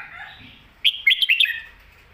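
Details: Red-whiskered bulbul song meant for teaching young birds, a crisp phrase of four or five quick, clear whistled notes jumping up and down, preceded by a soft warble.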